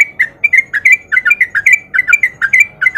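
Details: Male sooty-headed bulbul in rapid 'ropel' song, used as a lure so lazy bulbuls start singing too; quick chattering, slurred whistled notes, about three per second, little background noise.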